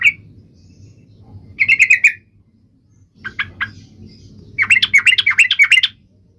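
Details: Trucuk bird, sung loudly to make other trucuk birds sing: bursts of bright chattering notes around mid-high pitch, a short opening note, a lone burst, then clipped notes and a long rapid run of warbled phrases near the end.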